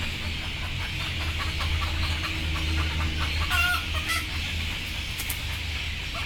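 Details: Frightened, sleepy chickens waiting to go on board give a few brief harsh squawks close together midway, with faint clucking and a continuous low rumbling, noisy background throughout.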